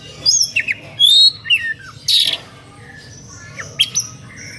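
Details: {'text': 'An Oriental magpie-robin in an emotional, lively singing style meant to draw other magpie-robins into answering: rising and falling whistled notes, a loud buzzy burst midway, then quieter scattered high chirps over low hum.'}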